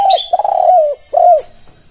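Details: Close spotted dove (tekukur) coo phrase meant to make other doves answer: a brief opening note, a long wavering coo, then one clear rounded coo. A faint high chirp sounds at the start.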